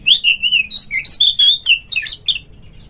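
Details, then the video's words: Oriental magpie-robin, a kacer in ngeplong style, played to prompt other magpie-robins to sing: a loud run of clear whistled notes, gliding and warbling between phrases, with squeaky chips mixed in and no pauses. "suara panggilan Kacer NGEPLONG nge-play Ngobra GACOR bikin semua JENIS BURUNG KACER ikut GACOR"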